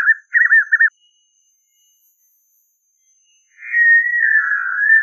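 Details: White-naped xenopsaris singing in the caatinga: two short warbled whistled phrases wavering in quick loops at mid pitch, then a pause of about three seconds and a longer, smoother sliding whistle.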